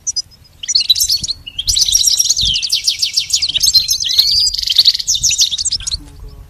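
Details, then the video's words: A goldfinch sings a bright, tinkling, rapid twitter of high trills and chirps that runs on almost without pause for about five seconds; the recording is meant for song training. "Teaching the goldfinch the art of song-advanced lessons in best chirps"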